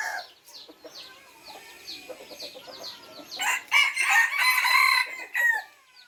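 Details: Red junglefowl of the F3 captive-bred line crowing: after softer chirps and clucks, a loud harsh multi-part crow bursts out in three to four broken segments, rich and ringing, then fades.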